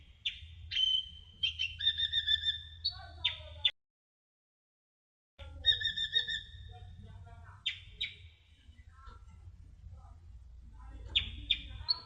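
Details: Masteran recording of a sunbird (kolibri ninja) singing: bursts of high whistles and buzzy stacked trills, a short silent break, then more chips and scattered twittering notes over low background hum.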